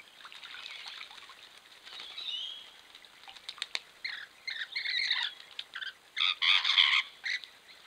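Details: Bathing Rainbow lorikeets (Trichoglossus moluccanus) recorded by a camera trap at a local spot: quiet scratchy chatter at first, then a run of loud grating screeches from about four seconds, peaking in rapid harsh bursts near the end.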